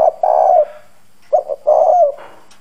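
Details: Decoy spotted dove with a hoarse 'giọng đồng' voice, cooing hard to provoke wild doves: two low, husky coo phrases, each ending in a long drawn note, with a short gap between.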